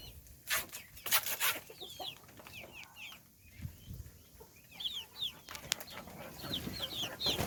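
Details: Little chickens peep continuously at their meal. High, quick chirps drop in pitch, clustering in lively bursts. Scratchy rustle and clattering feed noises are heard.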